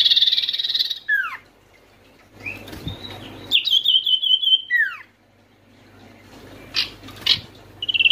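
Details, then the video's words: Oriental white-eye (sirtu) in full voice, used to prompt lazy or stressed white-eyes to sing: high buzzy notes and downward slurs, a rapid level trill of thin chips, then scattered sharp chirps. "sirtu malas bunyi pasti langsung nyaut dengar pangilan SIRTU/CIPOH ini"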